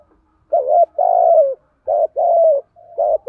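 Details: Decoy spotted dove cooing to stimulate wild doves: a series of low, hollow coos in short-long pairs, repeated steadily with brief pauses between them.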